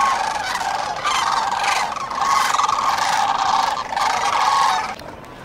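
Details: Dawn chorus of sandhill cranes along the Cosumnes River: many rattling, bugling calls layered into a steady roar, surging in waves and then cutting off near the end.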